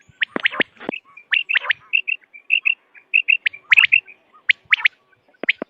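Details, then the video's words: Quail from a hunting lure recording: rapid bursts of short, sharp chirps and paired high whistled notes, closely repeated, several overlapping voices, clean background with no other sounds. "Vairal sound of btair 2023/بٹیر کی لاجواب کیسٹ"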